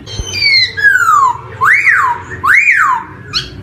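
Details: Black-throated laughingthrush song as a training lure for young poksay: long descending whistles followed by two arched, rising-then-falling whistled notes, clear and loud indoors.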